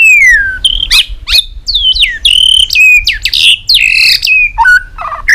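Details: Tail-flicking white-rumped shama in heated competition song: loud, ringing whistles, each sliding or dropping in pitch, delivered almost nonstop with brief gaps and some harsher notes mixed in.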